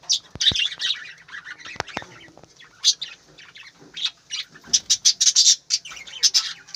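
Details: Budgerigars in an aviary in the morning: dense high chirping and squawking chatter from several birds, with a few sharp clicks and scattered louder squeaky bursts.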